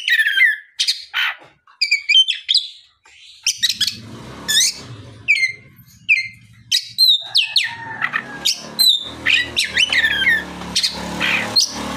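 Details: Oriental magpie-robin singing in the afternoon to provoke other magpie-robins into song: varied loud whistles, sweeping upward and downward notes and sharp chirps in quick bursts, with scratchy lower tones and background rustling.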